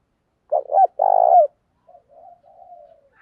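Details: Spotted dove kept as a decoy, calling to draw in wild birds: one phrase of two quick clipped coos and a long level coo, then soft, faint, low murmuring notes trailing off.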